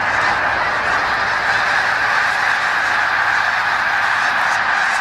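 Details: A dense, unbroken roar of thousands of snow geese in a flock over the St-François River at Drummondville, Quebec, in November, their nasal yelps blurring into one steady mid-pitched chorus.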